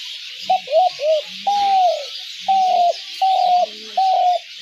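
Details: Spotted dove call used for dove trapping: a series of low mellow coos, a few quick short notes then four longer level coos spaced about a second apart, over a faint hiss.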